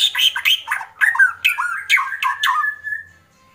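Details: Agitated White-rumped shama's kretekan: a dense, harsh, rattling chatter of quick stacked notes, delivered in rapid clusters for about three seconds and ending on a short level whistle.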